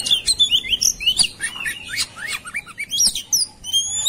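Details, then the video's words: Fighting, agitated white-rumped shama song: fast run of bright rising and falling whistled slurs, some long thin upslurred notes near the end, interspersed with sharp clicks. "KACER NGAMUK | KACER NGOTOT | KACER NGOBRA | KACER BUKA EKOR | KACER TARUNG"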